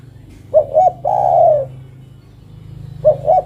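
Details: A female spotted dove calls for the male with two brief coos and a long, fading coo, then begins the next phrase; steady low droning hum in the background.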